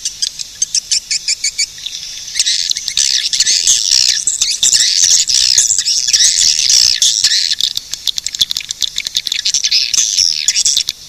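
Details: Swiftlets opening with quick pulsed chirps, then a long loud bout of shrill squealing twitters, easing back to clipped chirps at the end.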